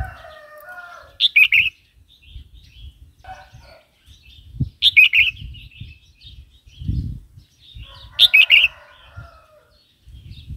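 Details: Red-whiskered bulbul song played to stir new or wild-caught birds and to teach young birds: short bright warbled phrases near the top of the range, repeated about every three to four seconds, over low rumbling background noise.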